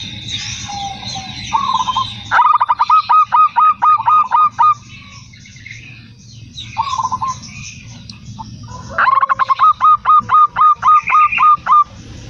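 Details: Perkutut lokal, the zebra dove, in manggung song: soft rolling trills lead into two long runs of rapid, hooked, bell-like coos repeated about four times a second, over light background hiss.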